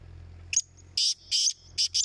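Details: Black francolin calling in a competition: a single grating phrase of short and drawn-out harsh notes, steady low hum underneath.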